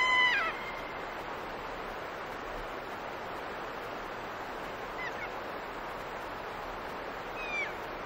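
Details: Kea calling at Nelson Lakes, receding into the distance: a loud, harmonic, downward-sliding 'kee-aa' at the start, then two fainter, farther calls near five and seven and a half seconds, over a steady wash of running water.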